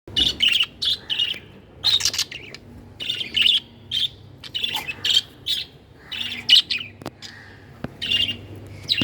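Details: Budgies (parakeets) giving clear chirping calls, short bright notes in bursts roughly every half second to second, some burry squawk-like elements, with a faint low hum underneath.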